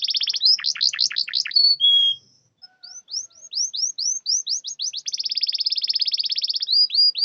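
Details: Canary song meant to prompt silent canaries: a jerky rattling phrase, a short whistle, a pause, then rising hooked whistles in a steady series leading into a long fast high trill and final upslurs.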